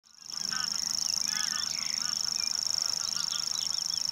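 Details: Common grasshopper warbler reeling: a steady, very high, insect-like trill held without a break, over many squeaky, honking calls from other birds.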